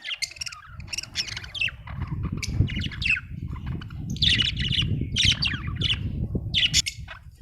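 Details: Budgerigar chattering in bursts of rapid, scratchy chirps and squawks, with dense clusters around the middle and end, over a continuous low rumbling background noise.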